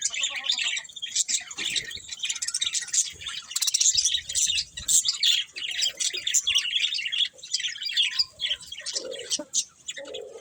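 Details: Several budgerigars kept as pets chirp steadily for ten seconds, a crowded, high-pitched warble of squeaks, clicks and rasps with a few lower nasal notes near the end.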